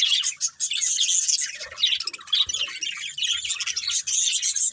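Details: Budgerigars chirping happily as they play: rapid, squeaky twittering and scratchy warbles from several birds, dense and steady, with a few brief dips in loudness.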